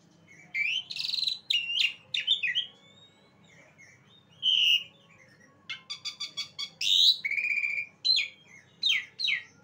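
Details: Song of an Asian pied starling (jalak suren): harsh buzzy bursts and slurred whistles, a pause, then quick repeated chattering notes and bright rising whistles, steady faint hum behind.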